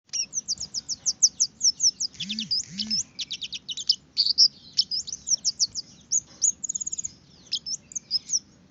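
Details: Red-headed finch song used as a lure to prompt other birds to sing readily: rapid, high chirps and short trills in quick bursts, with a few brief lower swooping notes and a faint low hum underneath.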